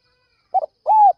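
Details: Spotted dove at dawn, calling to lure others: a quick doubled note, a pause, then one arched mellow coo rising and falling.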